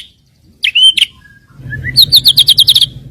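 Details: Lure song of a white-rumped shama meant to set off rival birds: two clear whistled notes and a soft rising slur, then a quick series of about eight sharp high chips.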